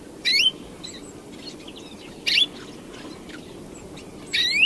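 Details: Song of a European greenfinch: three rough, upward-sliding wheezy notes spaced about two seconds apart, with soft faint chirps in the gaps and low steady background hiss.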